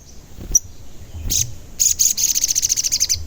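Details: Sogon, an active singer, calling to lure and agitate other sogon birds: a sharp high chip, a buzzy burst, then a quick, repeated high trill of rhythmic pulses.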